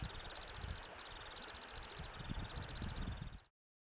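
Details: Temminck's stint recorded in Norway, producing a continuous high, rapid trill over heavy low-frequency wind rumble, ending abruptly.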